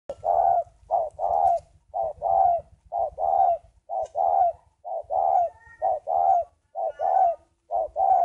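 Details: Captive breeding spotted dove: low, hollow cooing in paired phrases, a short coo followed by a longer rolling coo, repeated steadily about once a second, with a soft low rumble underneath.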